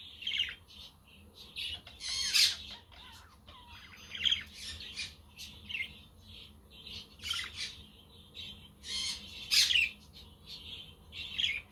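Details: Continuous budgerigar chatter on a windy, sunny day, with a quaker parrot and a conure in the background: rapid scratchy warbles and chirps broken by frequent loud squawks, a steady low hum underneath.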